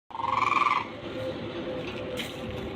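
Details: A common crane, listed among Siberian birds, gives one loud, rolling, trumpet-like note of under a second, then only a steady background hum remains.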